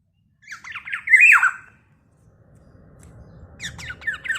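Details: Black-naped oriole in full voice, said to provoke other orioles: one grating, nasal squawk that wavers up and down, then swells and falls. A second, fainter series of scratchy notes starts after a pause over a low background rumble.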